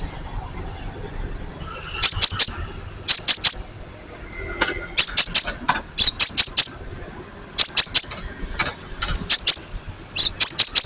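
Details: Cinereous tit (gelatik batu) recorded as a lure that both old and young birds answer. Crisp high notes come in tight groups of three or four, each group opening with a sharper higher note, repeated every second or so against a quiet background.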